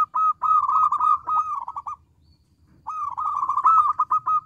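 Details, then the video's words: Persistent local zebra dove song, loud and ringing, said to provoke replies: two long, fast, bubbling coo trills separated by a pause of about a second. "Perkutut lokal gacor suara kecil lantang keren banget bikin nyaut."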